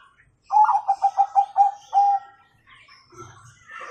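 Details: Bangkok zebra dove singing with the kung tone, used as a master song for young birds: a series of seven bouncy coos, then a longer drawn final note. Light rustling follows.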